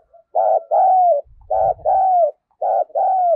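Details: A decoy spotted dove gives a fight-provoking call, kept for daily luring and training. Three quick phrases each pair a buzzy coo with a long drawn-out coo that slowly falls, with a faint low thump in the background.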